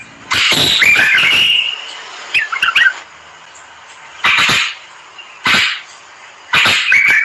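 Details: Moroccan common bulbul singing loud, rich, warbled phrases with a drawn-out whistled note, then a quick twittering cluster. Further loud, harsh bursts come at intervals, separated by quieter gaps.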